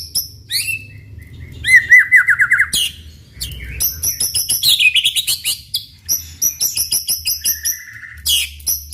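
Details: White-rumped shama singing hard, used to coax other shamas into answering; high trills, a fast string of repeated whistled notes, then dense high twittering phrases with sharp clicks.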